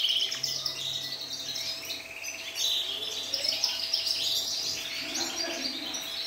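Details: Syrian canary singing a varied string of high twittering trills and chirps, rising and falling in loudness, over a faint steady hum.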